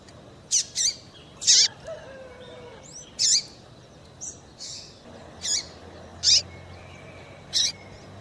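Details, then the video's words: Repeated high chirps of a female double-collared seedeater, used to excite males, come steadily across eight seconds, some doubled, with faint thin whistles in the background. "Melhor Piado de fêmea de Papa capim para Esquentar e foguear Papa capim"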